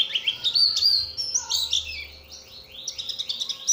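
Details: Lure song of Oriental white-eye, meant to make other white-eyes respond: dense, high, tumbling chirps and warbled twitters with slurred notes, a brief quieter pause midway, then more rising chirps.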